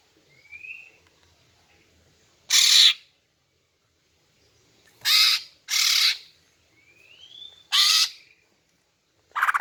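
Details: Female greater green leafbird call used to attract males: five loud, harsh, broadband rasps at uneven intervals, two of them closely paired, preceded by faint thin rising whistles.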